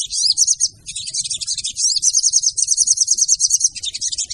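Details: Female brown-throated sunbird call used as a lure to attract other sunbirds: dense, very high chattering twitters of rapid buzzy notes, nearly continuous, with a short gap before one second.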